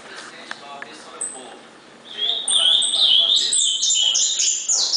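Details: Soft voices and clicks give way, after two seconds, to an ultramarine grosbeak's loud 'gritão' song, warbling sliding whistles climbing into high, quickly repeated notes, recorded 19 August 2014.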